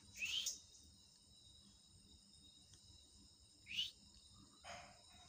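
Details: Talking parrot at home gives a rising whistle, another after a pause of about three seconds, then a softer, noisier burst, with steady background hiss.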